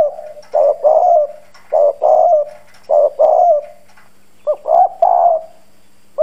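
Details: Hoarse-voiced decoy spotted dove cooing vigorously to lure wild doves; deep paired coos, a short note then a longer husky one, repeated rapidly about every second.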